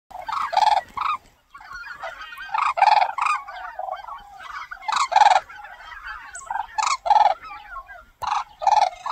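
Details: Red-crowned cranes flying in a marching line over the Cheorwon plain, Gangwon Province, Korea: loud trumpeting bugled calls in overlapping pairs and bursts roughly every two seconds, with softer chatter from the flock between.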